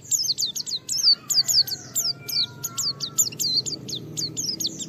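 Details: Challenging pleci (white-eye) in full song to draw other white-eyes into singing: fast series of high, squeaky downslurred and looping notes, tightly packed, with faint lower steady tones beneath.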